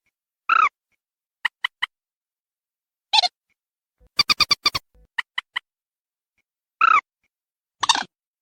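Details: Calls of a waterhen used to lure birds: nasal, slightly descending honks alternating with triplets of sharp ticks and one quick run of about seven pulses, all against silence.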